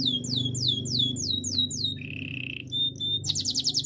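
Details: Belgian canary in training song, rolling out rapid downward-slurred whistles, breaking into a brief level buzzy trill, then ending on a fast dense high rattle.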